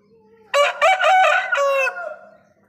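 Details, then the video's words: An Aseel rooster crows once, a loud, harsh multi-part call of about one and a half seconds, with a faint low hum in the background. "Aseel Murga Ki Awaaz - rooster crowing sound effect"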